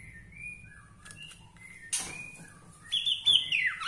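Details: Bornean-style white-rumped shama singing to provoke other shamas, with soft thin sustained whistles at first, then a sudden burst of loud, harsh, buzzy high notes.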